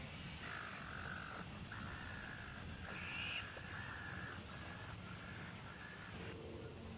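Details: Eastern curlews at Port Hacking as migration preparations begin: a run of drawn-out, level, mid-pitched notes, about six in a row over several seconds, then one short lower note, all over a steady background hiss.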